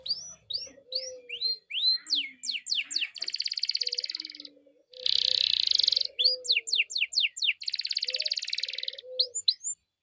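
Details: Canary song used to prompt other canaries to sing: fast upward whistled notes, rapid falling sweeps, dense buzzy rolling trills around the middle and near the end, with soft low chips underneath.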